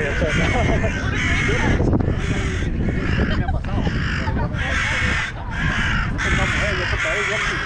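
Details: Several crows scolding a dog in Hyde Park, getting worked up: a steady run of coarse, grating caws, each under a second, coming in quick succession, with human voices and low traffic-like rumble beneath.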